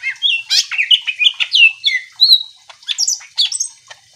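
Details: Energetic greater green leafbird song played to excite other leafbirds into replying: a rapid, varied stream of sweet whistles, downslurs and sharp chips repeated several times a second, then trailing off.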